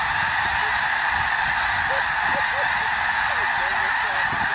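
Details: Snow geese flushed by an overflying eagle at Fir Island, Washington, February 2022; a thick continuous chorus of honks, with several short rising-falling nearer calls briefly standing out above the din.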